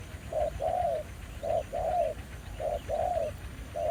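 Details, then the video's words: Aggressive territorial male spotted dove answering a decoy at an old trapping site in Vietnam. Paired coos repeat steadily, a short clipped note then a drawn-out falling one, with soft low background rumble. "Bẫy cu gáy mồi đất, ra lại bãi cũ sau 1 năm, gặp chú bổi mới khá hăng"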